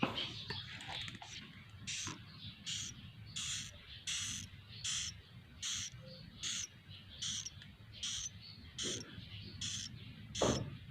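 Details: Swiftlet chicks recorded inside the owner's own swiftlet house (mini bird house) give harsh, buzzy chirps in bursts about every second, over a low hum and faint talking; swiftlet.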